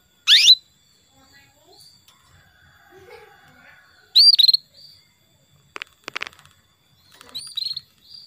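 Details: Female canary calling the male to prompt him to sing: loud high chirps, some sweeping upward, spaced several seconds apart, with faint twittering from other birds and a few clicks between.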